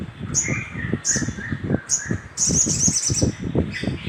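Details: Little spiderhunter recorded as a lure to stimulate other birds: sharp, very high notes repeated about every 0.7 seconds, over a lower wavering bird voice and steady low thumping or rustling.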